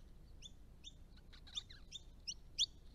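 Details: Resident Eastern rosellas visiting a pond on a rural Australian property give sharp, high, metallic chips and short chattering notes, repeated every half second and growing louder, over a soft background hiss.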